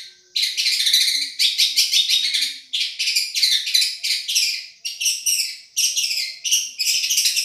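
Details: Long-tailed shrike, Madura type, recorded for song tutoring and called a champion singer: sustained rasping, rattling chatter in long runs, broken by brief silences, with rapid stuttered elements near the end.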